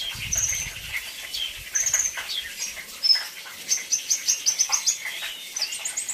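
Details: Brown-throated sunbird singing a luxurious 'isian' song: high thin whistles, then a fast run of sharp repeated chips about four per second, over a dense hiss of other high chirps and background noise.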